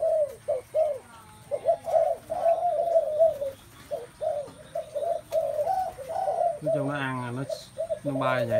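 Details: Spotted doves filling a space with sound: many soft, hollow coos in short overlapping phrases, several birds calling at once, with a brief human voice breaking in near the end.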